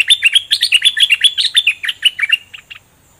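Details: Caged bulbul with newly completed plumage pours out a long double-style phrase of roughly twenty rapid, bubbling whistled notes, steady at first, then trailing off into a few softer notes before silence.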